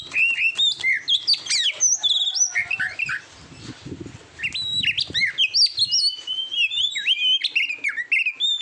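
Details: Competition-training recording of an Oriental magpie-robin singing rapid varied whistles, chirps and trills, with a brief lull and low thumping sounds midway, then a dense burst of high notes.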